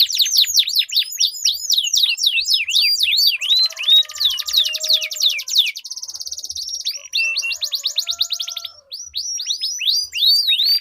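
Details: Competing canaries pour out long rolling song, used to prompt silent canaries to sing. Fast repeated descending whistles give way to a steady buzzy roll, then resume as crisp sweeping notes.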